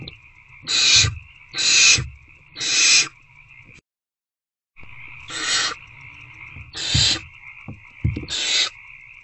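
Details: Hungry owlets in a nest box on a February 2024 evening, 8:13 pm, trying again to eat a rodent: three harsh hissing bursts, a silent gap, then three more, over a steady electrical hum with soft knocks.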